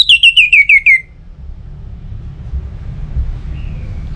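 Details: Orange-headed thrush song meant to coax other birds into singing: one fast series of six sharp, bright notes stepping slightly down in pitch, followed by three seconds of low rumbling background and a faint thin whistle.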